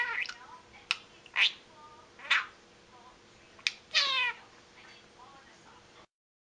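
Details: Indoor pet budgerigar muttering, short sharp chirps and buzzy harmonic squawks spaced about every second, with quiet warbling between, ending in a longer scratchy note.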